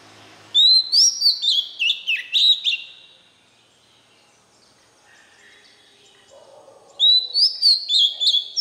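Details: White-rumped shama song used for training young birds to learn the voice; bursts of loud, clear whistled notes, sharply rising and falling, in two rapid phrases separated by a few seconds of quiet.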